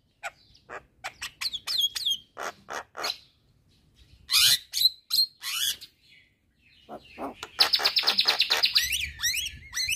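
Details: Asian pied starling singing hard to provoke neighbouring starlings: a varied run of sharp clicks, whistles and harsh noisy bursts, ending with a fast buzzing trill and chattering notes.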